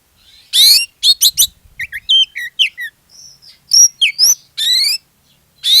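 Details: Lively Oriental magpie-robin song meant as a lure to set other magpie-robins singing: bright harmonic trills, quick looping whistles and sharp chips in fast varied sequence, a brief lull, then more loud rising trills.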